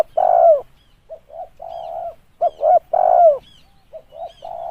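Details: Spotted dove cooing for decoy luring: a long downward-sliding coo, then quick paired coos and a steady drawn coo, repeated. Faint high chirps from other birds sound in the background.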